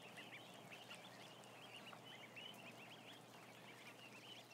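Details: Many ducklings, around a thousand, kept together, giving a steady chorus of high, arched peeps that overlap continuously above a broad hiss of background noise.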